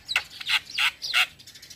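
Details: Four harsh, buzzy rasping notes from a young male Javan myna, each preceded by a faint high whistle, spaced about a third of a second apart.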